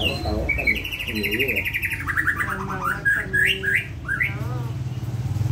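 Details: White-rumped shama song offered as a tutor song for young birds: a run of rapid, clear whistled notes that step downward in pitch, then rising and falling phrases, with low human voices at the start and a steady low hum underneath.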